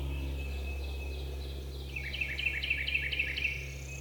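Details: Jakes, young male wild turkeys approaching hunters in Georgia woodland at roughly 30 yards, give a gobble: a fast run of harsh, descending notes repeated about four times a second against constant low background droning.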